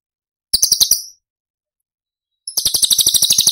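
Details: Cucak cungkok, a masteran recording of its tembakan phrases for training other songbirds: a short bright buzzy chattering trill, a long pause, then a longer rapid rattling burst of high pulses.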